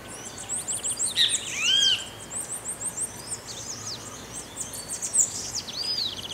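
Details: Great kiskadee singing in the countryside of Pirenópolis, Goiás, Brazil: two loud, arched, harmonic notes about four seconds apart, set against continuous high, thin twittering from other birds.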